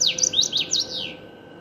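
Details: Common waxbill singing: a brief, high twittering phrase of quick, thin notes that bounce and slide downward, fading out after about a second, with a faint steady hum behind.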